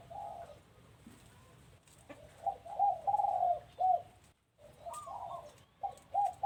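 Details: Dove calls at a house: bursts of soft, rolling coos in quick runs, a brief pause, then more coo phrases, over a quiet background.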